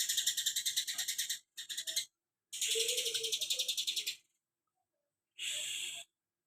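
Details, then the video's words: Cucak kinoi singing tight 'tembakan greja' phrases: rapid high rattling trills broken by short gaps, one longer trill, a silent stretch, then a single harsh buzzy burst. "cucak kinoi tembakan greja rapet"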